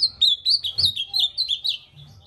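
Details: An ultramarine grosbeak sings a fast, warbled phrase of about eight high, slurred whistles that rise and fall, over a faint low background hum.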